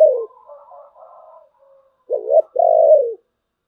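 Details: Spotted dove cooing in the thổ bầu voice style: soft, low murmured notes, then two loud hoarse coos. The second coo is drawn out and falls at its end. The setting is otherwise quiet.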